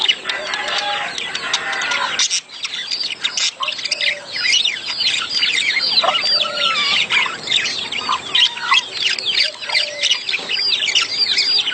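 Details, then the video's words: Several budgerigars warbling in their mating chatter, meant to stimulate egg laying in the hen. Continuous twittering of rising and falling chirps and squeaks, with occasional lower whistled notes. "خلي انثي البادجي تبيض بسرعه.اصوات التزاوج للتحفيز"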